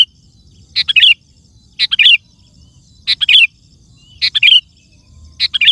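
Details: Sooty-headed bulbul singing vigorously, played to lure wild birds and get other bulbuls singing; repeated chattering phrases of three or four fast whistled notes, one about every 1.2 seconds, with a faint low murmur.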